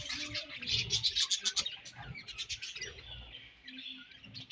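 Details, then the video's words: Breeding-season budgerigars chattering: rapid, dense high chirps and scratchy warbling, loudest early then softening, with faint low rustling beneath. "Budgies Breeding Season and Sweet Chirping Sounds"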